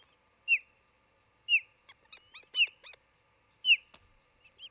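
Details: Osprey at a nest near Charlo, Montana, on June 27, 2018, late morning, recorded by a nest camera. Loud, sharply falling whistled chirps repeat about once a second, with softer chips in between.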